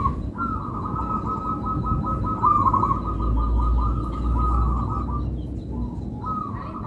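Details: Melodious song of a local perkutut, the zebra dove. A long, continuous, fast-trilled cooing phrase lasts about five seconds, then a short pause and another phrase begins. Deep rumbling noise runs beneath it.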